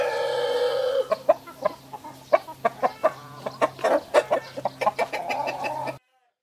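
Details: Roosters of Sussex and Brahma breeds in a standoff with a white Brahma in between: a rich harmonic crow tail opens, then quick runs of loud clipped clucks and cackles until an abrupt stop.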